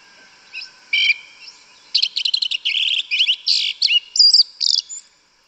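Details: Yellow-legged Thrush (Turdus flavipes) singing in the woods, a rapid, high string of varied chirps and trills, bursts packed closely after a couple of opening notes, with faint background hiss.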